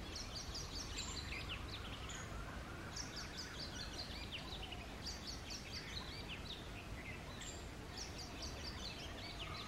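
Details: In the early morning, an Oriental magpie-robin sings with its tail spread: a varied run of short, high, whistled notes and chirps in bursts, over a steady low rumble of background noise.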